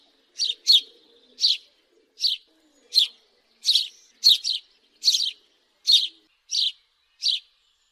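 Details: Single and paired chirps from a house sparrow, sharp and high, spaced unevenly about one per second, with faint low rustling beneath.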